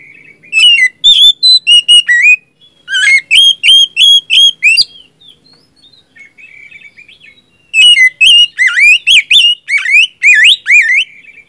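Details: Magpie-robin song, called gacor, used to prompt a silent kacer to answer: bursts of sharp whistled notes and fast slurred sweeps, a quiet pause midway, then a dense, energetic run of twisting whistles.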